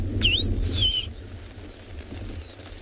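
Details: Rufous-naped lark (Mirafra africana) calling at sunset, 3 November, Tswalu Kalahari Reserve, South Africa: two quick, clear slurred whistles, the second dropping, over a steady low rumble and faint ticking, rattling cisticola nearby.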